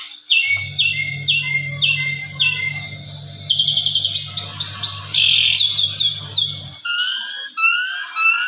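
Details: Varied evening song from an Asian pied starling, meant for training other birds: a row of short upslurred whistles, then rapid stuttering buzzes, a loud noisy burst and rising whistled notes, with a low hum beneath the first part.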